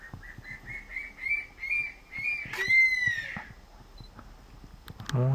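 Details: A crested serpent eagle on Ishigaki Island, Okinawa, gives about eight short, clear whistles in quick succession, then a loud, long, slurred whistle that falls away. A brief noise follows, and the bird flies off.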